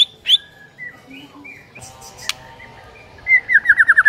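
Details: White-rumped shama (murai batu) morning lure meant to train a silent bird to sing readily: scattered soft whistles and short slurred notes, a sharp high note near the start, ending in a quick run of loud descending chirps.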